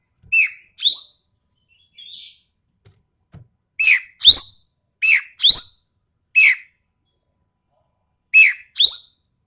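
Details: Ekek keling of Sumatra calling harshly and sharply: rasping two-note phrases repeated in irregular bursts, some notes single, with a short quiet whistle between groups.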